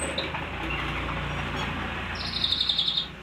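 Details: Pied triller, or cangkeling, singing vigorously: after faint chirps, a rapid high trill of evenly spaced, sharp notes runs for about a second near the end, over a steady low background hum.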